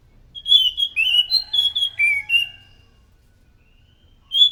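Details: Anis macan thrush singing loudly as a lure: a rapid run of fluty whistled notes stepping up and down for about two seconds, then silence and one more whistle at the end.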